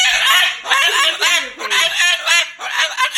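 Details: Moluccan cockatoo loudly cursing out its owner over an overnight stay. It speaks in a continuous stream of rasping, squawky words with quick pitch wobbles.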